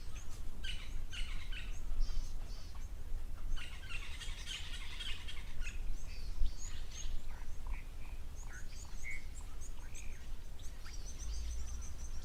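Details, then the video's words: At an African waterhole on 12 June 2024, with little wind and zebra, impala and blue wildebeest present, a Natal spurfowl cackles loudly with a harsh, grating burst amid chirping, whistling birds and low rumble. "And you can hear the Natal spurfowl making a racket."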